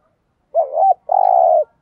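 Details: Decoy spotted dove calling to provoke rival doves into fighting and answering: a short wavering two-note coo followed by a longer steady, slightly trembling coo, in quiet surroundings.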